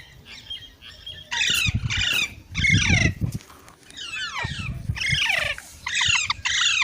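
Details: Green parrot giving loud raspy screeches, several falling sharply in pitch, over a low rumbling background noise.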